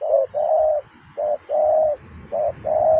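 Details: Low hollow coos of a spotted dove at a luring session, paired short-then-long notes repeated three times in three seconds, with soft background rumble and a steady high thin tone.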